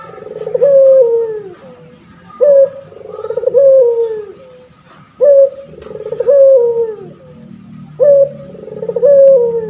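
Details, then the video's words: A male puter pelung turtle dove, used as a training model for other birds, repeats a low, mellow coo four times. Each phrase has a short, bright first note, a throbbing middle and a drawn-out falling finish, with faint low rumble underneath. "Burung puter pelung jantan gacor , di jamin langsung nyaut"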